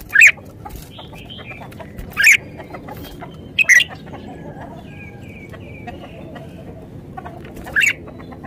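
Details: Red-whiskered bulbul giving short, sharp whistled notes spaced a second or more apart, with softer distant birdsong and a steady background hiss between them.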